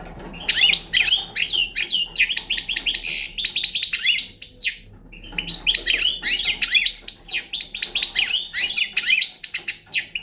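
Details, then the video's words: Young Balkan European goldfinch in a long, rapid twittering song of tinkling, buzzy and liquid notes, delivered in two dense phrases separated by a brief pause, with a quiet hum behind. "Pesma štiglića- mladi balkanac 2"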